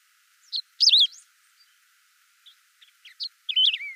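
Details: Unaltered Saffron finch song: a quick chip and a loud, wavering downward-sweeping warble, then scattered faint ticks and chips before a final bright, twisting phrase trailing down.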